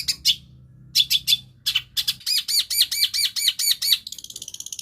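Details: Long-tailed shrike imitating other birds' voices: scattered high sharp chirps, then a fast even series of ringing, downslurred notes about four per second, ending in a thin high buzzy trill.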